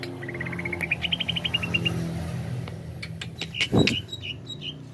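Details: Greater green leafbird giving a fast string of rising whistled notes, then sharp clicks and short slurred whistles, over a low background hum.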